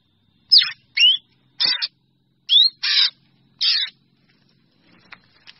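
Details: Drongo calling to gather the flock: quick upslurred whistles mixed with raspy, noisy squawks in a burst of six notes, then faint scattered clicks.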